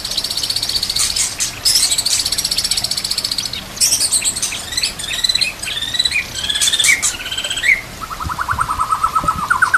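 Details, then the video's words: Varied song of a white-rumped shama for training birds: dense rattling trills and bright whistled phrases shifting in pitch, ending in a lower rapid series of repeated notes, set against nature ambience with running water. "murai batu gacor full isian"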